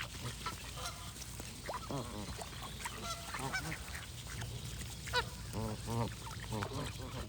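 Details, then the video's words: Loud nasal honking from a flock of geese, with strong arching calls in groups of two or three and fainter chatter between them, over background hiss. "Goose & Birds Sound Effects for Relaxation"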